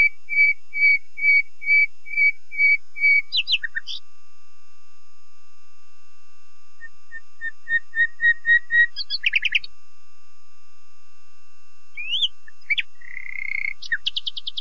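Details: Common nightingale in full song: a row of repeated piping whistles, a burst of sharp notes, a softer series of swelling whistles, then rising squeaks and a buzzy rattling trill.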